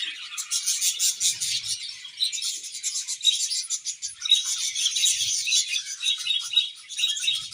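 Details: Budgerigars in full chatter: dense, high, scratchy warbling and quick repeated tweets running without pause.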